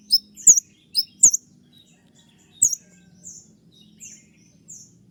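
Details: High, piercing chirps from a kolibri ninja sunbird in 'tembakan' style: loud doubled notes early, then softer, thin downslurred tweets spaced about every half to one second.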